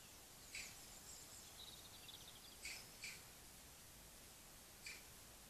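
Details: One of a courting pair of European robins at a feeding table around 5am on a cold, dark February morning gives four sharp, clicking ticks spaced a second or two apart, with a faint high warble between, over steady hiss.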